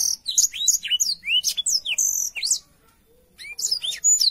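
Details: Clear black-throated canary song for training young canaries: quick downslurred and rising whistles in a busy phrase, a pause of about a second, then a fresh burst of high chirps.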